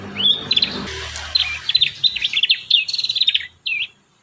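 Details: Prinia song for training young birds. A rising chirp opens, followed by a string of quick, sharp, high notes that speed into a rattling trill and end with one slurred note. Faint low hum early on.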